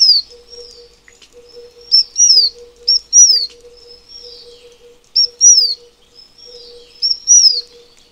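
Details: Repeated thin, high whistles from a Taiwan fulvetta come in phrases roughly every two to three seconds. Each is a short sharp note leading into a falling slur, over a constant faint low hum.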